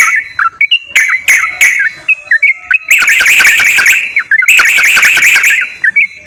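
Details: Sooty-headed bulbul song used as a lure for a silent bird: several clear whistled notes, then two long, dense, buzzy chattering passages in which warbled whistles overlap with harsh, noisy sound.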